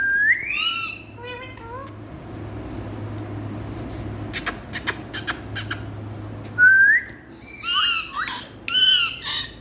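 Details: Indian talking parrot giving rising, ringing squawks in quick bursts, a pause filled by sharp clicking taps, then more shrill rising and falling calls over steady background noise.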